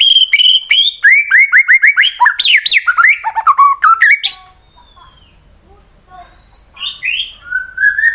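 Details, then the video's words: White-rumped shama fighter from Wonosobo, Central Java, Indonesia, provoking rivals into song: a rapid stream of downslurred whistled notes, a brief quiet gap, then scattered high whistles and a rising final note. "Murai BATU FIGHTER Bikin Emosi lawan langsung GACOR Sangat Ampuh Dijadikan Lawan tanding"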